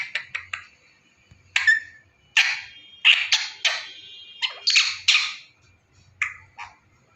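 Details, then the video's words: Pet talking parrot giving a series of harsh, broadband squawks and clipped chatter notes, irregularly spaced, in a quiet room. "Talking Parrot .....My mithu says new word mera kutur kutur ..mai mithu and WHISTLING"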